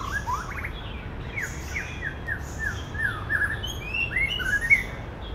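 A male white-rumped shama sings a rich, varied run of whistles, slurred upward notes and quick chirps, mimicking other birds over a low background hum.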